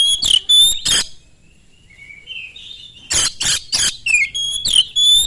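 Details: Oriental magpie-robin lure song to provoke rival magpie-robins: loud whistled slurs with harsh rasping bursts, a soft whistled interlude, then another fast loud phrase.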